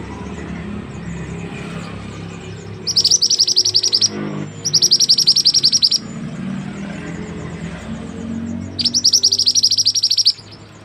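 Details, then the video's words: White-rumped shama from West Sumatra, singing actively: three bursts of rapid, high, sharp repeated notes, each lasting about a second, separated by quiet pauses over a low background hum. "murai api/mantenan gunung gacor asli Sumatra barat"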